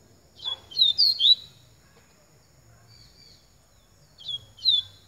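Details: Double-collared seedeater singing the song style known as Baiano Pica: a burst of high, sharp chirped and slurred notes, a quiet pause of about three seconds, then another short phrase of similar notes, with a low hum beneath.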